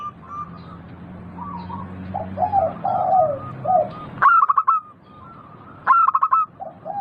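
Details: Local zebra dove singing to stimulate other doves: mellow slurred coos, then two sharp bursts of rapid staccato notes, each fading into soft, evenly spaced cooing.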